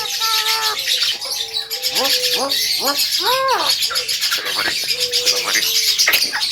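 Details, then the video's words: Javan myna singing, recorded as a master recording for training other birds: flat whistled tones, then rising and arched harmonic notes a few at a time, with a continuous high-pitched hiss behind. "SUARA BURUNG JALAK KEBO PALING GACOR"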